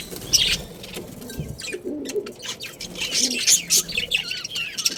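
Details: Breeding pair of budgerigars, Australian parrots, kept as pets: busy high warbling chirps and squeaky notes in irregular bursts, with some wing flutter and soft lower sounds in the background.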